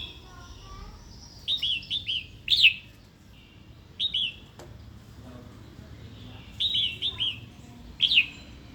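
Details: Female red-whiskered bulbul calling to provoke a wild-caught male into song and fighting; clusters of two or three falling chirps followed by a sharp higher note, with pauses between bursts.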